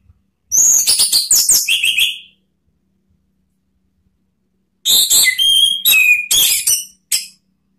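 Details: Orange-headed thrush singing as a provoking lure in the ngeplong style: a quick volley of clicky, buzzy high notes, several seconds of silence, then a second varied burst of whistles and harsh chips.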